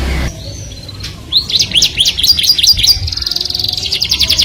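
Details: Canary song said to draw the opposite sex, starting after a short quiet moment with a run of rising whistled notes, then a fast even trill to the end.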